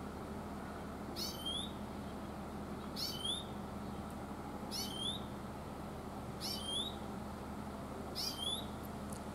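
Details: Oriental greenfinch in the mountains repeating its "chuiin" call, five sharp descending-then-upswept notes spaced roughly two seconds apart against constant low background hum.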